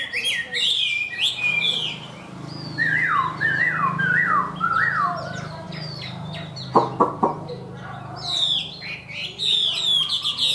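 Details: Caged Chinese hwamei giving ornamented, warbling song: clusters of high whistles, then a series of four loud descending slurs, a few sharp clicks, and a final high whistled flourish, over a steady low hum.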